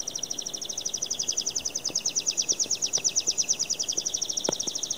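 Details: A cobalt canary sings one long, high, rapidly rolling trill of bright repeated notes that runs unbroken throughout, over faint clicks and low background hum.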